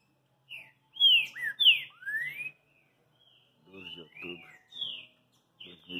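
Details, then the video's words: Green-winged saltator song in two bursts: loud, rich whistled phrases, some slurring down and one long rising note, then a pause and a softer series of short whistles with a faint buzzy undertone. "Trinca ZEUS fenômeno"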